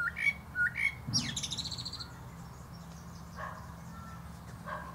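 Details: Male common blackbird (Turdus merula) singing atop a plum tree: mellow whistled phrases near the start, then a high squeaky twitter, followed by quieter, softer notes.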